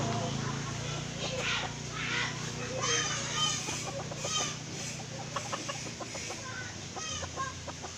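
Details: Red junglefowl from Aceh, its call used as a lure for trapping; series of short clucking notes in uneven bursts, some rising and falling, over a steady background hiss.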